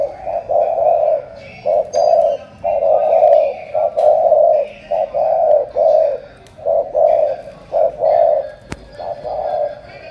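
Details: Spotted dove from Cà Mau, Vietnam, described as 'tú', cooing in low hollow phrases: a short note then a longer drawn note, repeated about every 1.2 seconds, with faint background chatter.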